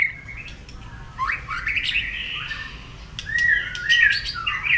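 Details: White-rumped shama singing, played as a lure to prompt a quiet shama to answer: softer, varied whistled phrases, rising and falling, with brighter sweeping notes toward the end over faint background hiss.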